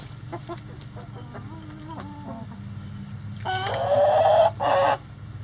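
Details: Rooster crowing in a chicken coop: soft scattered clucks, then a loud, harsh crow about a second long with a rough, buzzy tone, followed by a shorter final burst. A steady low hum runs underneath throughout.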